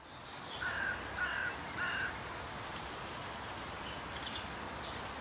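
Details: A Black woodpecker (Dryocopus martius) in Voßmoor, a moorland of the Elbgeest southeast of Hamburg, in May 2022, gives three harsh, crow-like calls in quick succession, each under half a second, then only a soft outdoor hiss remains.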